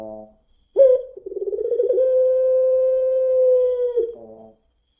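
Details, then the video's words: Spotted dove singing in the long-drawn pelung style, used as a lure track: a brief low coo, then a rolling, pulsing coo that flows into a smooth, steady, sustained note held about two seconds, closing with a short soft coo. "PUTER PELUNG NANGIS SAMPAI BATUK | PANCINGAN PUTER PELUNG"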